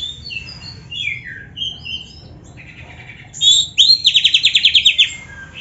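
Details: Oriental magpie-robin song meant to rouse other magpie-robins: soft, scattered whistled notes and a buzzy phrase, then a loud rapid series of about ten bright repeated chips before it fades.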